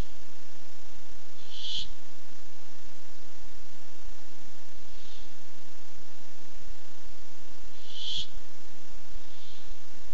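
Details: Sparse hissing screeches from a Barn owl come looking for food at a nest cam, August 2015: two loud bursts about six seconds apart, with fainter softer rasps in between and after.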